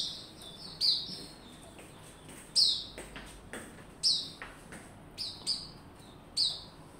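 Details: Captive white-rumped shama warming up to sing in open form, 27 December 2021: strong high descending notes roughly every one and a half seconds alternate with short warbles, with scattered dull knocks and clicks in between.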